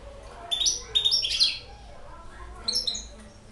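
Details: A six-month-old hybrid finch sings a short burst of high, tinkling twitters, then pauses and adds a few thin notes. A faint low hum sits in the background.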